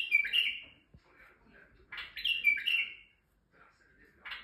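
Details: A male white-eared bulbul from Turkey sings to excite females, giving two rich, gurgling phrases of slurred descending notes about two seconds apart, with softer notes between.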